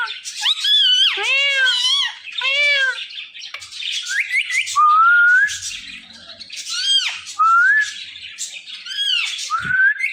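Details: Talking parrot couple with harsh arching squawks at the start, then rising slurred whistles spaced irregularly among buzzy chatter.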